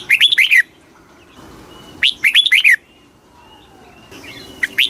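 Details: Red-whiskered bulbul singing a very fast kích bổi song meant to rouse birds: short bright warbled phrases of rising and falling notes, each about half a second, repeated roughly every two seconds over a quiet background.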